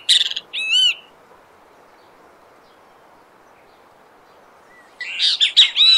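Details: Brazilian great kiskadee in nature: a short burst of harsh notes and one bright arched whistle, then about four seconds of quiet before another rapid, scratchy, jumbled phrase starts.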